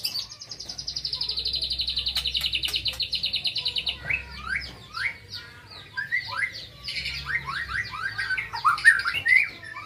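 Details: Young white-rumped shama, a contest bird, opening with a long rapid buzzy trill for about four seconds, then a run of quick rising and falling whistled slurs and chirps.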